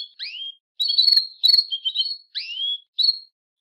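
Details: A female Belgian canary calling a lot to mate gives bright, high chirps and short slurred whistles in quick bursts, about six notes in under four seconds, with no other sounds.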